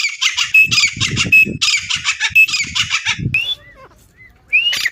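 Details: Female grey francolin, or teetar, calling as used for hunting and trapping: loud, harsh, rapidly repeated squawking phrases in bursts, then a pause with a few short upslurred notes.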